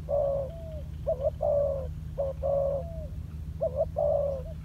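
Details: Spotted dove, a decoy bird in training on the ground, giving low mellow coos in paired, slightly trembling phrases, each ending in a drawn-out note, over a steady low hum.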